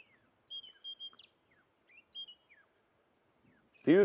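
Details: White-browed scrub robin (Cercotrichas leucophrys) calling unseen from a thicket during an October sunrise drive in a mixed bird party: two short phrases of clear, high whistles, each with a sliding note; a man's voice breaks in loudly at the end.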